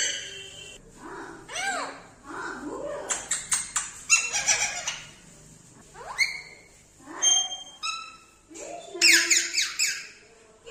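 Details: Pet Indian ringneck parrot, a talking bird: bursts of sharp screeches, rising and falling whistles and speech-like chatter, uneven and loud, heard indoors.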